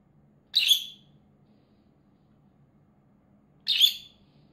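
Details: Pet peach-faced lovebird kept indoors: two brief shrill chirps about three seconds apart, otherwise quiet with a low steady hum.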